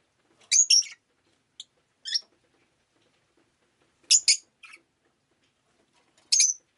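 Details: Rosy-faced lovebird kept as a pet, rainy day: loud, shrill, buzzy chirps in pairs and clusters, about every two seconds, with silent pauses between.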